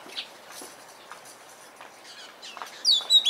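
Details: Oriental magpie-robin in Punakha, Bhutan, giving a few loud, sweet whistled notes that slide downward, preceded by soft scattered chirps and faint background twittering.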